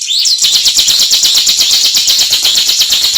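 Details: Ciblek, or bar-winged prinia, singing in ngebren style: one high swooping note, then a continuous rasping, buzzy trill held for about three seconds.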